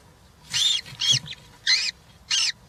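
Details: Nest of three European roller chicks filmed by a live camera on 20 June 2023 during feeding; four short, hoarse, screechy calls, spaced irregularly with gaps of about half a second.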